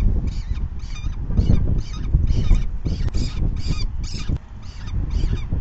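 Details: Falcon begging at the nest during the fifth feeding of the day, 4:40 PM on May 9, 2020: harsh, rasping calls repeated about every half second in a steady series, over a heavy low rumble of wind and handling noise.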